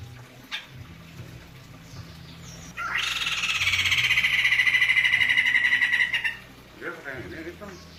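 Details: White-crested laughingthrush, a caged bird whose voice is described as thick; a loud rapid rattling chatter bursts in for about three seconds, broad and harsh with fast regular pulses, then stops abruptly, with brief softer calls after.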